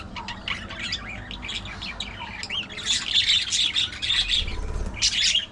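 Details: Chattering budgies, soft scratchy babble at first, swelling past the third second into a loud, dense warble of squeaks and trills.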